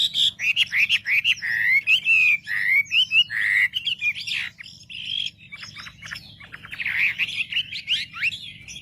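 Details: Lure song of a wambi, meant to stir up other wambi birds: fast chattering whistles that give way to longer looping warbled phrases, then a burst of sharp rising notes, over a faint low hum.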